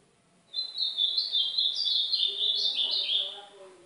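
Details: Ultramarine grosbeak, northeastern Brazilian form, song played to warm up and train a pet songbird: a fast continuous warble of sweet whistled and twittering notes, slightly rising and falling, lasting about three seconds after a brief quiet start.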